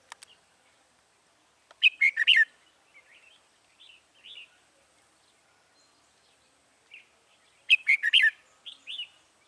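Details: Wild-caught red-whiskered bulbul in Dong Nai, Vietnam, trapped on 21 January 2018, singing as a decoy to call wild birds: short bursts of bright warbled notes around two seconds apart, with softer chirps between and a quiet rural background.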